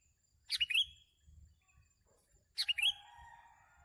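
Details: Sooty-headed bulbul in a bird-trapping setting delivers two chirpy three-note phrases about two seconds apart, the second trailing into a faint lower whistle. Soft rumbling thumps sound beneath.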